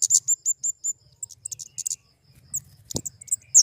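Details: High, sharp flowerpecker chips in a quick run, then scattered thin notes and a brief low knock.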